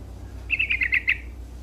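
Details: Yellow-vented bulbul in lively song, used to rouse rival birds: one short bubbly phrase of five or six quick, slurred notes, medium-high in pitch, lasting under a second over steady low hum.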